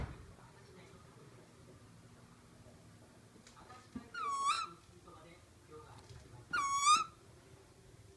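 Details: Black kite giving two short whistled calls about two and a half seconds apart, each a bright, harmonic-rich tone ending in a slight quaver, over a quiet indoor hum with a few faint knocks.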